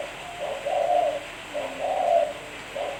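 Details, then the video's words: Cooing of a spotted dove, recorded cleanly for use as a lure: mellow, low, slightly rolling coos, a brief note followed by a drawn-out one, the pattern repeating twice with a third phrase starting. "Suara Burung Tekukur Bersih-Suara Burung Tekukur Buat Pancingan"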